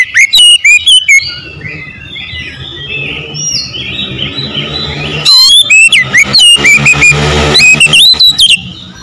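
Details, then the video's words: Oriental magpie-robin singing loud, rapid whistled phrases with sharp clicks at the start and end, a long quieter stretch of soft warbling between, and some low hum. "PASTI CEPAT GACOR BUKA EKOR"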